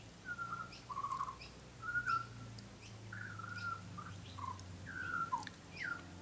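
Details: Tame young butcherbird visiting a garden, its black plumage still lighter than an adult's, gives a run of fluting whistled notes, short phrases stepping between higher and lower pitches, steady low hum beneath.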